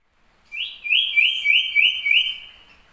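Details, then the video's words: Common iora, said to sing actively day and night: a clear series of about six quick, slurred whistled notes, each rising then dropping, run together into a steady, even trill lasting over two seconds against a quiet background. "burung sirpu/cipoh siang malam tetep gacor"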